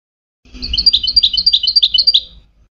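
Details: Moroccan-type goldfinch song used for teaching hybrid chicks: a bright, tinkling phrase of about eight quick, high two-part notes over two seconds, with a faint low hum behind it.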